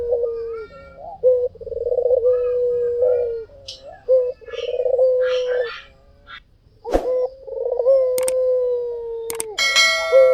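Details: White dove in full vigorous song as a lure. Repeated rolling coos settle into long low hums. Faint higher twittering and several sharp clicks and knocks break in near the end.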